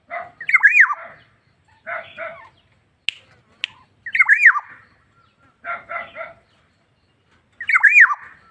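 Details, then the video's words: ['Black-naped oriole calling vigorously (gacor). It alternates harsh nasal notes with squeaky, wavering, slurred calls, repeated every few seconds. Faint clicks sound between phrases.'] "BURUNG PODANG GACOR"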